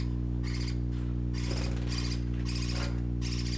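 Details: Baby parakeets playing, giving bursts of bright, harmonic-rich chirps in quick clusters, about five bursts over a few seconds, over a steady low drone in the background.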